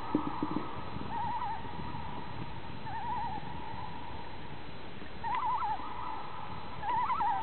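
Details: Common loons gathered in a raft of about eight on Garnet Lake in mid-September before migrating, calling wildly: short wavering tremolo phrases at intervals, rising and falling, with sustained wails beneath and a few low knocks early on.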